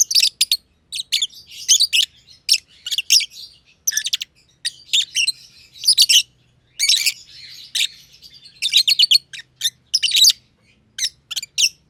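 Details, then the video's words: Green personata and green pied personata lovebirds, close companions sharing an aviary, in a long chirping session; loud, rasping chirps come in rapid overlapping runs with a soft chattering murmur between them. "Lovebird Chirping Sounds - Green Personata & Green Pied Personata"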